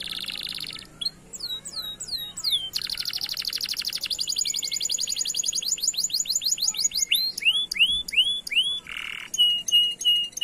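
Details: Canary song used as a lure for canaries that have stopped singing: varied tours of buzzy rolls, fast repeated high notes, rising and falling swept whistles, and a short nasal burst, all rapid and loud.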